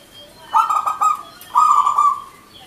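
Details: Zebra dove of local wild stock singing: two cooing phrases of quick, stuttering, rolling notes that run into a steady sustained trill, the second phrase longer and smoother.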